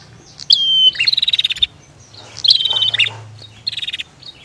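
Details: Bar-winged prinia calls, female against male: high flat whistle with a flicked start followed by a fast buzzy rattle, repeated about every two seconds over a low hum.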